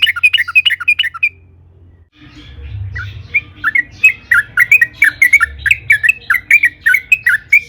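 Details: Sooty-headed bulbul, wild-style long rolling song played to stimulate other bulbuls: a quick bubbly phrase, a silent gap, then a steady stream of warbled, dipping notes repeated several times a second in a small room.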